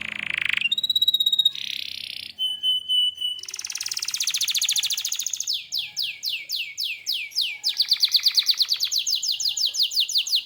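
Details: Canary singing energetically: bright steady whistled notes, then buzzy trills, a run of downward-sweeping notes repeated several per second, and a fast rattling roll; no other sounds.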